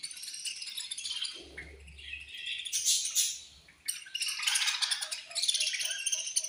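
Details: Many budgerigars in a colony chirping at food time; bursts of shrill twittering chatter swell and fade, with a brief low hum near the start.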